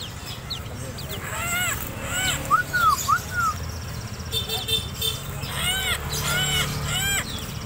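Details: Koak kaok (helmeted friarbird) from Sumbawa, a still untrained bird, giving loud arched, slurred notes in quick runs, some in close pairs, with background hiss and faint other chirps.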